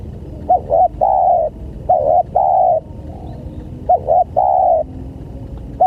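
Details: Spotted dove cooing, played as a lure for other doves: repeated phrases of two or three quick hooked notes ending in a sustained even coo, about three phrases in under six seconds.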